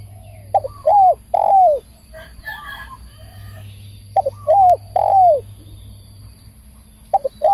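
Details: Spotted dove, a bird used for decoy trapping, cooing loudly: two phrases about four seconds apart, each of short clipped notes and then drawn-out, downward-sliding hoarse coos. Faint low hum underneath.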